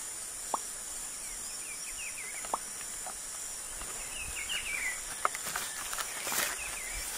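White-lined tanager giving three sharp, abrupt chips spaced a few seconds apart, with faint twittering from other birds over a steady high insect hiss.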